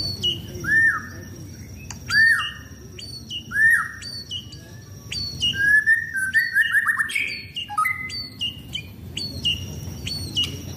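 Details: Caged white-rumped shama of the speckled blorok type, a contest bird set out for sunbathing, sings loud rising whistled notes repeated every second or two, with thin high chirps mixed in.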